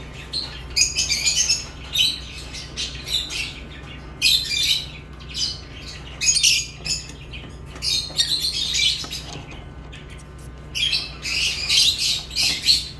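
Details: Lovebirds giving grating, high squawks and chirps in repeated bursts of one to two seconds, separated by brief pauses, with a low steady hum underneath.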